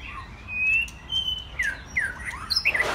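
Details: White-rumped shamas, young birds mostly after their first molt, play together with long pure whistles followed by quick downslurred notes and a sharp final squeak.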